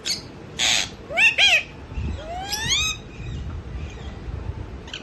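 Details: Pet mithu parrot vocalizing while asleep: a broadband burst, a pair of quick rising chirps, then a long upward-sweeping whistled note with stacked harmonics, separated by quiet pauses over a low background hum.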